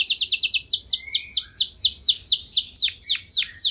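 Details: Indonesian canary song aimed at rousing other canaries to reply: a quick string of descending whistled notes that slows into broader, evenly spaced down-slurred phrases.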